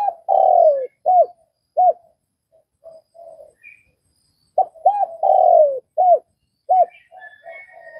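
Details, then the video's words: A spotted dove from Vietnam calls a long sliding coo and short arched notes, then falls to soft low murmurs. It repeats the full phrase of quick coos, a long falling note and clipped ends, with faint chirps above. "Tiếng cu gáy Việt"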